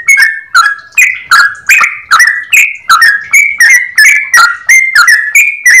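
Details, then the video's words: Yellow-vented bulbul with a clear voice pours out long rapid 'ropel' song, sharp whistled notes, some in pairs, steadily repeated. "Trucukan gacor ropel panjang suara jernih"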